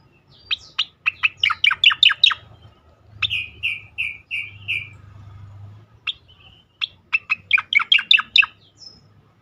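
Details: Striated grassbird giving a sweet song: fast bursts of sharp descending chirps, a row of five slurred notes in the middle, then another quick chirping run, in a quiet setting.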